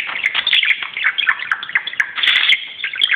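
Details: Pet budgie romping on top of a closet indoors, keeping up dense, continuous scratchy chatter with squeaky chirps and clicks throughout, loudest around half a second and again near two and a half seconds.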